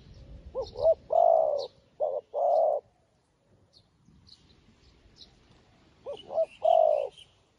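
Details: Newly caught spotted dove used as a decoy, calling wild doves in the countryside: two coo phrases, short rising notes then a long low drawn-out coo, with faint high chirps of other birds between.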